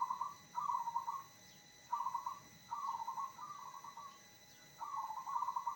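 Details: Repeated zebra dove song phrases meant to make other zebra doves respond: six short bubbling trills of rapid soft coos in quick succession, some paired, with brief gaps between them.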